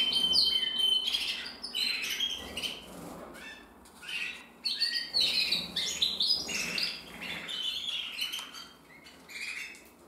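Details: Male canary, a red mosaic isabel bird hatched in 2024 and still developing its colour, singing a busy run of chirps, trills and short bright whistles in uneven phrases, with a low background hum.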